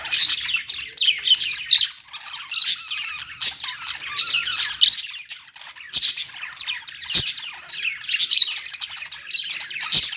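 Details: Budgies kept in a pet store giving a nonstop chorus of raspy chirps and squawks, with clicks and sharp taps every second or two.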